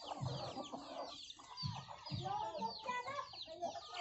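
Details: Many hens and chicks on a farm eating young rice given by farmers: low, soft clucks in short bursts, with a steady overlay of high chick peeps and faint background voices.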